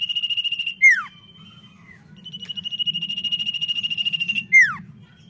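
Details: Common iora delivering intense song: pulsed high trills, one held for about two seconds while swelling, each closing with a sharp falling whistle, repeated twice over a constant low hum.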